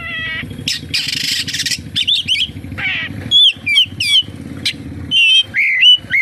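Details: Oriental magpie-robin song full of kapas tembak mimicry. A harsh noisy burst and low droning background open the recording, followed by bright, swooping whistled notes repeated in quick succession.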